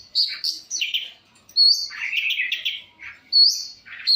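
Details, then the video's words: Long-tailed shrike in varied song, recorded on a handheld phone: rising whistles and buzzy, chattering runs of notes in uneven phrases with short pauses between them. "pentet cendet gacoorr suara full variasi"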